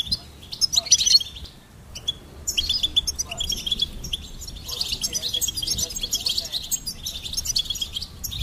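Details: A goldfinch opens with a bright twittering burst, pauses briefly, then pours out an unbroken run of high, chattering trills and chirps.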